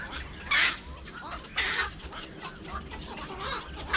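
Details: Black-crowned night heron: loud, coarse, broadband squawks at roughly one-second intervals, with quieter chattering calls between them and a constant high-pitched hiss behind.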